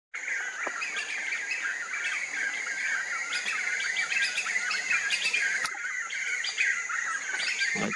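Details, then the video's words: A flock of Black-fronted Nunbirds gives a morning chorus: loud, rollicking overlapping whistled and chattering notes pouring out without pause, over a steady high insect drone. "MORNING CHORUS - BLACK-FRONTED NUNBIRDS!!! CANTORIA DA MANHÃ: CHORA-CHUVA, CANTANDO MUITO!!!"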